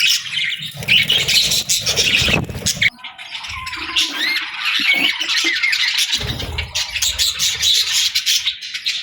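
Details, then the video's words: Budgies chattering in the afternoon, loud, dense warbling with squeaks and short whistled slides, over a low rumbling background noise. "Budgie Afternoon Whistles"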